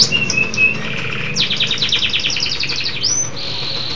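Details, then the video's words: Local canary singing energetically: short whistled notes, then a rapid rattling trill of bright notes, a rising whistle and a steady buzzy trill, with low background hum. "Kicau Burung Kenari Lokal Gacor"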